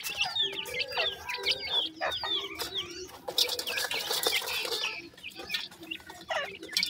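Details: Several grey francolin chicks peeping constantly, with shrill, downward-sliding whistles tumbling over one another. Rustling and fluttering noises run underneath, with a louder scratchy burst midway.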